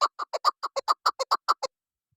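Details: Hunting decoy chukar partridge, recorded 12 November 2023, giving a short burst of about a dozen loud, rapid clucking notes that stops abruptly, followed by silence.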